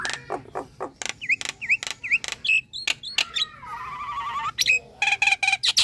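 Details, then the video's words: Nias hill myna calling sound: sharp clicks interspersed with short V-shaped whistles, a drawn-out harsh nasal note, then dense loud chattering clicks. "PANGGILAN JALAK NIAS - SUARA SANTAI TIDAK BIKIN TAKUT DAN PASTI BUNYI"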